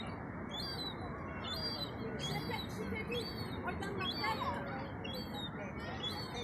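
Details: Herring gull chick, about 4–6 weeks old, begging on the seafront at Eastbourne, East Sussex, UK, near the pier, at 4 pm on 12 August 2021 while adults ignore it; thin squeaky notes come roughly twice a second over steady background noise.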